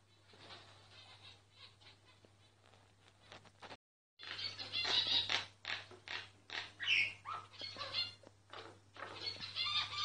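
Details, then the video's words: A myna sings, filmed covertly so it would keep going: dense rapid chattering of clicks, rasps and squeaky notes, with a short silent gap partway through and a low hum underneath. "Mynah singing"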